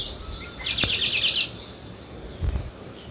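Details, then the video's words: Among weaver birds building nests, a sparrow gives a sudden quick series of high, clipped chirps run together into a short rattle, followed by faint background chatter and a soft low thump. "Sparrow Chirping Sounds"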